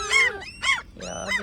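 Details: Great black-backed gulls giving what are described as complaining calls: three loud harmonic squawks, each bending downward, spaced about half a second apart, with no other clear sounds.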